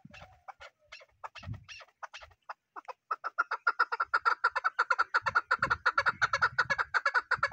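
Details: Chukar partridge, chakor: a few scattered clucks give way to an accelerating steady series of rasping chuk notes near 2.8 per second, with low background thumps.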